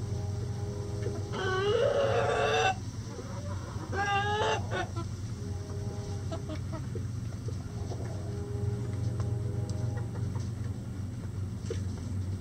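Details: Rooster crowing among relaxing, scratching backyard chickens in a coop during light rain. A long, rich, wavering crow is followed by a shorter burst. Low, short clucks then continue repeatedly under a constant hiss of rain.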